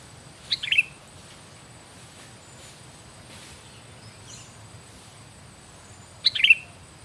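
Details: Sooty-headed bulbul repeating a brief bright chirped phrase twice, about six seconds apart, with quiet background hiss between.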